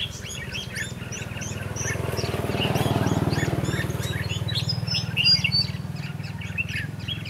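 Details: Red-whiskered bulbuls recorded during bird trapping on 22 December 2015. Short, bright whistled and chirping phrases repeat rapidly and overlap. A loud, steady low hum runs underneath throughout.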